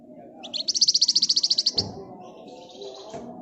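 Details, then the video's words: Flamboyan bird singing in the gacor ngebren rapat nyerecet style: a fast, high, even trill of about fifteen sharp ringing notes lasting over a second, then softer thin chatter, over a steady low hum. "Burung Flamboyan Gacor Ngebren Rapat Nyerecet"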